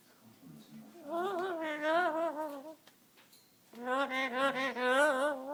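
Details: Pet Amazon parrot, 17 years old and fond of singing, holds two long wavering melodic phrases with rich harmonics, separated by a short pause, sung indoors like a bluesy tune.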